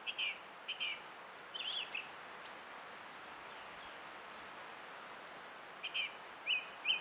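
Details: Song thrush in song on 20 April 2016: short, high, twittering notes repeated in small clusters, a gap of near silence, then a few more sharp repeated notes, with faint hiss throughout.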